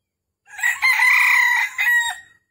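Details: Red junglefowl crowing in Vietnam on a trapping morning, 13 December 2021, as a wild bird came in to fight twice: one bright, harsh crow in three parts, a brief lead-in, a drawn-out level middle, then a clipped final note.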